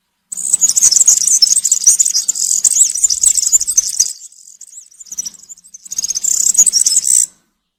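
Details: European serin, forest setting, cante campero song for educating juveniles: long loud bursts of shrill, scratchy, rapid jingling, a brief quieter gap with faint notes, then another strong burst.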